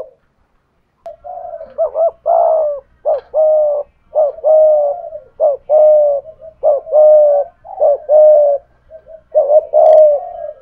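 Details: Spotted dove used as a decoy, with a 'thổ pha thúc' voice, cooing to challenge a wild dove. After a quiet start, a long run of low, throaty two-part coos comes at a steady pace, each a brief note then a drawn-out hum.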